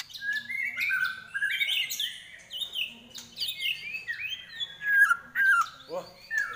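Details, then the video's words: White-rumped shama singing: clear whistled phrases with slurred, descending and rising notes, varied melodic sequences in quick succession, pauses between bursts, quiet background. "Kopdar Trek Murai"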